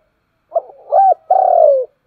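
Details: A single morning phrase from a spotted dove: a soft short note, a rising-and-falling hoot, then a long vibrating coo that slides gently down, ending with the onset of another note.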